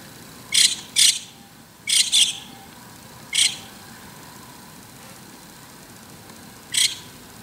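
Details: White-cheeked starling on an antenna in the morning, giving short, sharp, high squeaky notes in irregular pairs and singles with pauses of up to three seconds between them.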